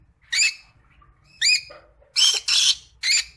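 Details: Creamino Rosy-faced Lovebird giving five short, harsh squawking chirps spaced irregularly, some rising in pitch, with a faint low hum underneath.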